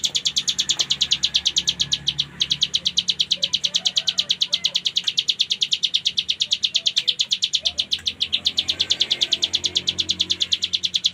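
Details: Cigun, or hill prinia, in full 'ngebren' song used as tutor material for cage birds: an unbroken, fast, steady train of sharp high chip notes throughout, with a low hum and a few faint clicks behind.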